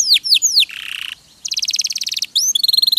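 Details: Canary song from a 'masteran' tutoring recording for songbirds: loud high downslurred whistles, a brief buzzy rasp, a fast rattling trill, then rising whistles and clipped repeated notes.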